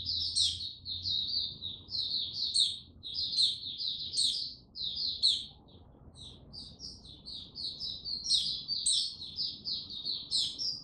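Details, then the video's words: Male white-eye (mata puteh) warming up, gaining confidence slowly before opening into full Tsunami-style song, dated 06032022; rapid high twittering chirps in dense bursts with brief pauses, sharp upward flicks, faint low background hum. "Mata Puteh Before he open buka Tsunami Video 1 gaining confidence to buka slow n steady"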